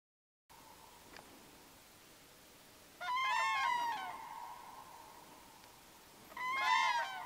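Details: Common cranes in a forest river valley, two pairs calling to one another before meeting to trumpet together; two loud harsh trumpeting bursts with rich overtones about three seconds apart, a sustained steady tone between them.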